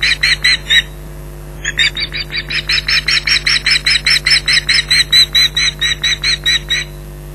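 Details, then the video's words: Female osprey defending her nest and young at Loch Garten, July 2011, against an intruder: a short burst of shrill yelps, a brief pause, then a long rapid run of piercing whistled notes. "Intruder Alert part 2"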